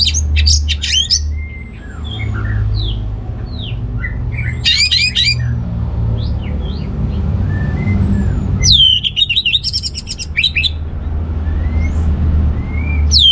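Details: Orange-headed thrush singing to stir males lacking breeding drive: scattered slurred whistles and squeaky notes, interrupted by dense bursts of buzzy chattering twitter, over a loud low rumble.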